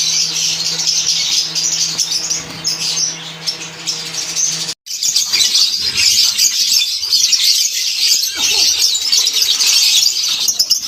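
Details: Lovebirds kept together in a colony setup: dense, shrill chattering and chirping from many birds overlapping without pause, briefly cut off near the middle, with a low steady hum beneath the first half.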